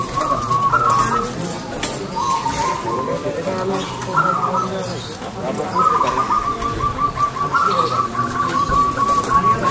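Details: Zebra dove (local perkutut) in full song with a clear voice: several trilled coo phrases, the last a long, evenly pulsed trill, over constant background noise and murmuring.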